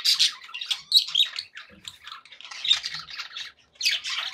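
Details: Budgerigars kept as pets give cheerful chatter: high scratchy squawks and warbled twitters in uneven bursts, a quieter stretch midway and a loud burst of chirping at the end.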